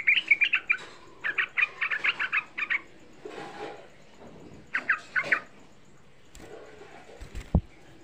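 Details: Young sooty-headed bulbul song used as a lure to excite other bulbuls into singing. Bright chattering notes come in quick bursts, with a pause between groups and a short quiet stretch near the end.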